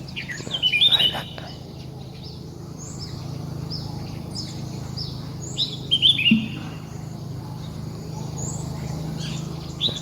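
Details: Red-whiskered bulbul outdoors giving short, bright whistled phrases that rise and fall, repeated every two to three seconds, with a steady low hum beneath.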